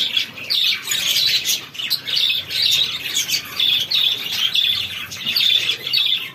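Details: Chicken chicks at feed giving continuous thin, high peeps from many birds, pulsing in slightly louder waves every second or so.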